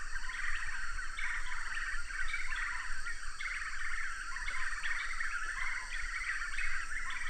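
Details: Black-fronted nunbirds calling in the Amazon rainforest background in a steady, overlapping chorus of loud, mid-pitched chattering notes, with a low rumble of background noise underneath.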